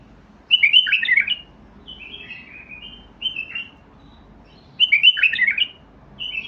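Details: A white-eared (Basra) bulbul sings short, rich warbled phrases of bubbly, slurred whistles, five bursts in about six seconds with brief pauses between, over a faint low hum. It is presented as a trained songster.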